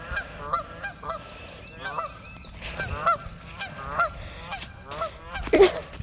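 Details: A flock of geese honking as it leaves a pond after being chased; harsh, nasal honks in loose bursts, some overlapping, with a louder honk near the end.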